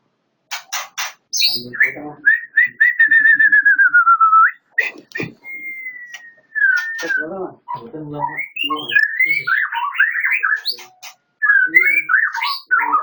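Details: White-rumped shama of the Medan type singing a loud, varied whistled song: sharp rapid notes, a long steady whistle, and a fast run of rising and falling slurred phrases with short pauses between bursts.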